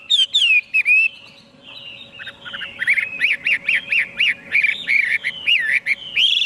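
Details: Chinese hwamei song: clear slurred whistles at first, then after a brief lull a fast run of rolling, warbled notes that wobble up and down in pitch, with a faint steady hum behind.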